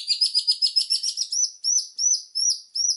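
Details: High, fast chattering from a White-rumped shama in full song, used as master song for training birds, changing into a row of sharp upslurred whistles repeated about every half second.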